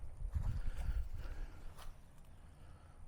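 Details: Low rumbling and knocking thumps with faint broadband rustles and no animal voice.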